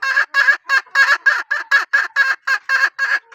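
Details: Hen of a line known for strong calling: about thirteen short, harsh, harmonic-rich calls in a fast, even series, roughly four each second, with clean silence between them.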